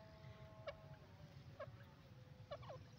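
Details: Grey francolin, known locally as teetar, calling: three short, harsh, separate notes over about three seconds, each with a brief upward flick, against steady low background rumble.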